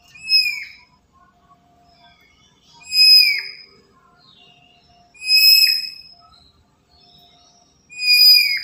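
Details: Black-capped lory, an active bird used as a lure for trapping others: four clear, loud, nasal whistled calls with a short downward tail, spaced roughly two and a half seconds apart, with faint soft notes in the quiet gaps.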